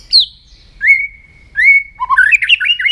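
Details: White-rumped shama in morning voice training: a high opening note, then two long level whistles with rising starts, followed by a fast jumbled run of warbling, chattering notes.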